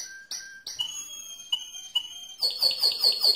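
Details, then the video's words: Mosaic canary song with clear, long whistled notes set off by short sharp chips, ending in a rapid run of pulsed, bubbling high notes. "le Chant le plus fort de canari mosaïque"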